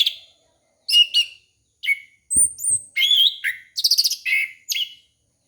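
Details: Orange-headed thrush song used as a lure for young birds: loud, varied phrases of sharp high chirps, slurred whistles and rapid trills, separated by short pauses, with one brief low thud.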